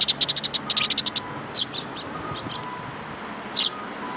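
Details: Sparrows, parents with their chicks, recorded 19 May 2018: a fast run of about ten sharp high chirps, then a few scattered single chirps with short pauses between them.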